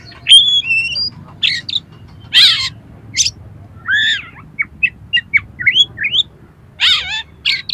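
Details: Oriental magpie-robin song with coarse mimicked material used to provoke another magpie-robin: rising and falling whistles, raspy bursts and quick clipped notes in an uneven flow, with a faint low hum.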